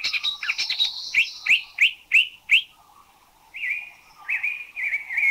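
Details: Spot-throated Babbler, Thailand, known for a varied vocabulary more than melody: a scratchy opening, then a regular run of six upswept chip notes, followed after a pause by level drawn-out whistled phrases.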